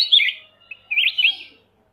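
Black-crested Bulbul song: two short, bright, liquid warbled phrases, the second longer and more rambling, a brief pause between them, with no other sounds.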